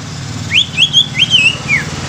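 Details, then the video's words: Young greater green leafbird meant to stimulate other leafbirds, giving a brief series of high, rising and falling whistled slurs over a constant low engine-like hum. "CUCAK IJO MUDA INI COCOK UNTUK PANCINGAN CUCAK IJO BAKALAN"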